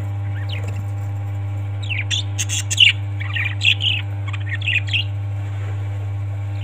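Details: Parrots giving a run of quick, mid-pitched chirps and harsh squawks, busiest in the middle, with a steady background hum.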